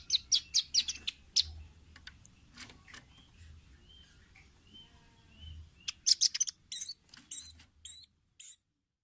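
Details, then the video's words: Training recording of a red-billed nuthatch (rambatan paruh merah) for caged birds: clusters of thin, high tweets open and close the passage, separated by a quieter stretch of soft, faint notes over a low background hum. "Masteran Ampuh burung rambatan paruh merah/masteran audio rambatan jernih mudah di tiru"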